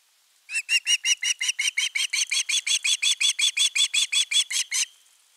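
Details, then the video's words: Young osprey at a nest camera on 10 August 2021, begging persistently for fish: a long, steady run of about twenty-three sharp, harmonic chirps, close to three per second, with no other sounds. "Myy huutaa pitkään kalaa"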